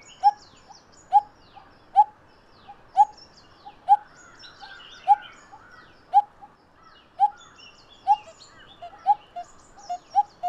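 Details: Pair of coppersmith barbets calling: low hollow 'tuk' notes repeated about once a second, steady and monotonous, with other birds chirping and twittering at higher pitch in the background.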